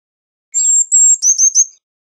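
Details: Eurasian blue tit giving a short high phrase: a thin sustained whistle followed by three or four quick, sharp chirping notes.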